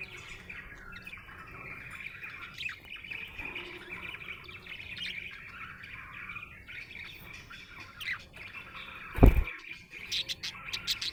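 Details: Happy pet budgerigar chirping, a soft rambling warble of chirps and trills with low rumbling background hum, a loud knock or thump near the end, then a few sharper chirps.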